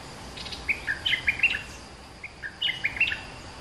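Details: Caged olive-winged bulbul, two months in captivity, repeating its warbled lure phrase twice about two seconds apart, each a quick chain of gurgling, up-and-down whistled notes; soft background hiss.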